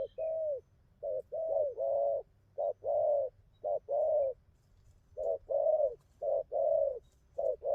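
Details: Spotted dove, wild-caught and newly into its song pattern, delivering clusters of two and three mellow coos, short then longer, in rapid groups separated by brief pauses.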